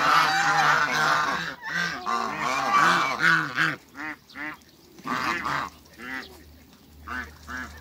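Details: Loud overlapping honks from three African geese on a farm give way to shorter, separate nasal calls spaced by quieter gaps, with a low steady hum underneath.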